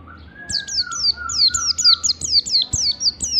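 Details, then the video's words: Lure recording of Oriental white-eye 'ngalas' song, played to trigger singing: steady chain of high falling chirps over a lower, drawn-out whistle that fades after two seconds, the chirping carrying on to the end. "pancingan pleci riwik supaya cepat ngalas ⚡⚡ pleci ngalas standar rapat panjang"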